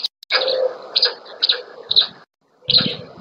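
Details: A female black stork feeds chicks at the nest, Łódź, Poland, 27 May 2020: a scratchy, wheezing run of high notes, then a pause and one more rasping burst with low thuds.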